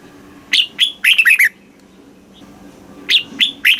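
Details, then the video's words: Thai red-whiskered bulbul singing the southern master-style phrasing used to stimulate caged birds and tutor chicks. A brisk phrase of chirpy, slurred whistles is followed, after a short gap, by a second phrase that is cut off. A soft hum runs underneath. "เสียงนกกรงหัวจุก ร้อง ริก เปิดให้นกฟัง ยั่วให้นกคึกจัด chao mao hot, chào mào hót"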